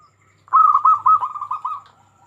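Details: Single phrase from a local zebra dove in Indonesia, sung to prompt other zebra doves into calling; a quick run of rolling, purring coos lasting about one and a half seconds over a faint low hum.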